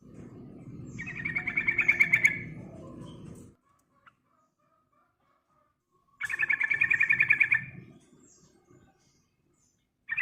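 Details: Yellow-vented bulbul in lively, continuous song, used as a lure to stimulate other birds: two bursts of rapid, rattling chatter, each about a second and a half long, separated by a quiet pause, over a low steady background rumble.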